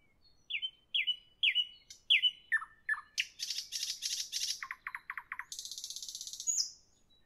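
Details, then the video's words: Nightingale singing in the evening: a run of repeated downslurred whistles, then dense buzzy high rattles, a series of lower sharp chirps, and a final harsh high trill ending in a short whistle. "Evening nightingale, nightingale song, nightingale"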